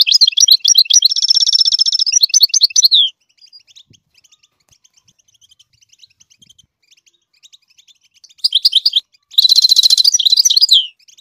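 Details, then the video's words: Goldfinch song for teaching chicks to sing: tinkling twitters around a sustained buzzy trill, a long stretch of soft ticking, then two more bursts of twittering and a loud buzzy trill. "the goldfinch sings to teach the chicks to song chirp"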